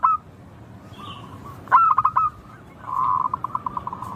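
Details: Local zebra dove (perkutut lokal), melodious song. A brief coo, then a strong stuttered phrase of clipped notes. After a pause comes a rolling trill of quick pulses that slows toward the end.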